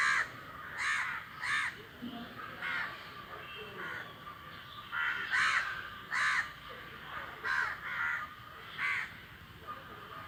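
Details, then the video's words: A flock of crows calling on the wing. Distinct harsh caws are spaced about half a second to a second apart, some paired, with quiet gaps between them. "the flock of crows is making a flying noise"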